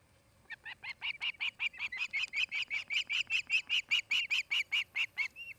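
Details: Osprey at a nest in Charlo, Montana, a pair building a new nest near a Great Horned Owl family: a fast series of shrill, slightly downslurred whistled chirps, about two and a half per second, growing louder and steady for five seconds.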